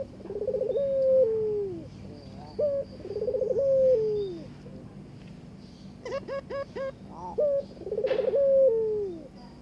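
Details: Barbary dove calling to its mate during courtship: three rolling, trilled coos, each ending in a drawn-out descending tone, with a quick run of short chirping notes between the second and third phrases.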